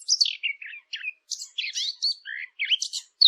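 Lively bird chirping: quick, varied twittering notes and short downslurred chirps, high-pitched, coming in bursts every fraction of a second with brief gaps between.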